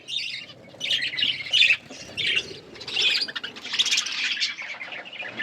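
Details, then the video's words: Several budgerigars chattering while eating: dense high chirps and squawky bursts come in uneven waves, overlapping with little pause. "Budgies eating food | Birds eating food | Birds chirping sounds"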